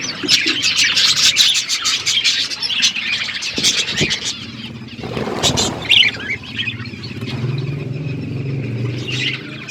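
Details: Parrot eating food, recorded February 25, 2024: dense, busy high chirps and tweets during the first four seconds. A low rumble, like a passing vehicle, swells around the midpoint, then softer scattered chirps return over a low hum.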